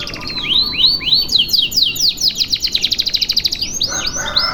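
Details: Canary's long continuous tutor song: arching looping notes give way to a very fast, evenly pulsed trill, then return to swooping phrases over a low buzz.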